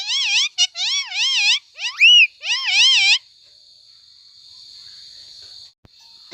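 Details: Pet talking parrot giving a series of loud, wavering, warbled whistles in short bursts, one sharply rising, then falling quiet with a faint steady hum.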